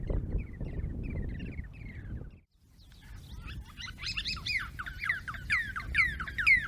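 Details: Yellow-breasted Barbet groups in dry Djibouti, caught by recorders during 2022 fieldwork on group choruses: a faint run of repeated notes, a pause, then a loud chorus of overlapping, rapid, ringing notes about twice a second, over low rumbling noise.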